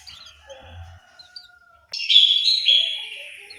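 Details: Orange-headed thrush kept in an aviary in Malang, East Java: after quiet, faint background calls, a sudden loud, clear whistled phrase gently falls and sustains over about a second and a half.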